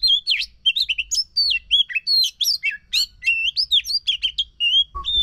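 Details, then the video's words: Oriental magpie-robin song used to prompt a silent bird into singing: a rapid run of clear, varied whistles and sharp chirps, many sliding up or down, delivered in quick bursts with brief gaps. "Pancingan Ampuh untuk Kacer yang Macet Bunyi"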